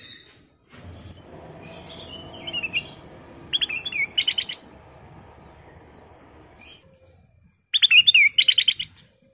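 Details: Kutilang emas bulbul lure call used to draw others into singing, three separated bursts of quick, bubbly chirping notes with a downward-bending whistle, quiet gaps of low background hum between.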